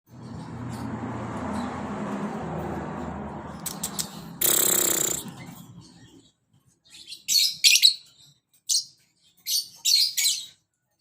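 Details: Lovebird calling: after several seconds of low rumbling background noise and a loud broadband burst, a series of short, harsh, high-pitched chirps comes in clusters, some doubled, with brief silences between.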